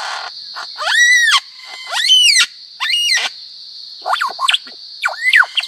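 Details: Lyrebird imitating other sounds, a recording used to tutor songbirds: loud, rich arching calls with strong harmonics, three long rising-and-falling notes then shorter twisted phrases, against a constant high-pitched buzzing background.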